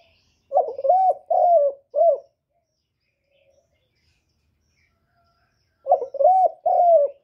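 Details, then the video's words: Cooing of a spotted dove meant to provoke males: two phrases of four soft, throaty coo notes, the middle notes longer and slightly wavering, separated by about four seconds of near silence. "TIẾNG CHIM CU GÁY KÍCH TRỐNG RẤT HIỆU QUẢ, GÁY GỌI THÚC KÈM CỰC CHUẨN, CU ĐẤT GÁY, CU CƯỜM GÙ"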